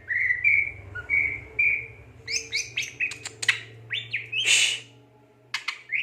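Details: Greater green leafbird in full gacor song: sweet whistles give way to a rapid jumble of chirps, sharp clicks and a brief harsh burst, over a low steady hum.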